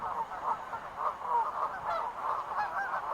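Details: Wild geese honking in quick succession, roughly three calls a second, slightly irregular nasal honks over a background of further flock calls.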